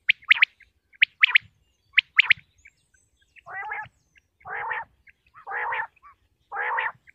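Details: Common quail from Pakistan recorded for hunting: quick high paired and tripled pulses first, then four long harsh nasal buzzing calls spaced about a second apart.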